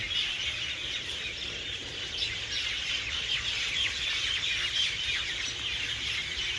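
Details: Hundreds of birds gathering at evening to roost in garden trees, chirping loudly; a dense, continuous wall of overlapping high chirps and squeaks with no pauses, echoing and steady throughout.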